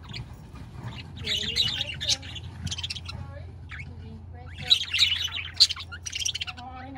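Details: Chattering budgerigars with dense, high warbling chirps that grow busier and louder toward the end, and a few lower tonal notes mixed in.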